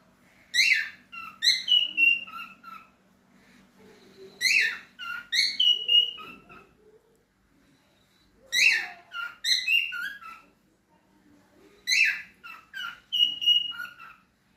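A cockatiel gives bright, chattering whistled phrases in bursts every few seconds.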